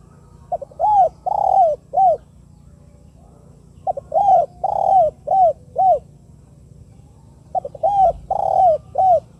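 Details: Spotted dove (tekukur), 'KUK 2' type call used as a lure to make other doves call: three phrases of about six notes, two quick short coos then long hoarse, downward-curving coos, with steady low hum beneath.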